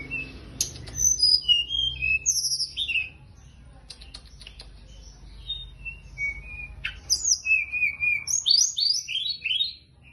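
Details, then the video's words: Teledekan gunung singing actively: varied high whistled and trilled notes, some rising and some falling, delivered in quick bursts with a pause midway, over a low rumbling background noise. "Kicau teledekan gunung gacor teler"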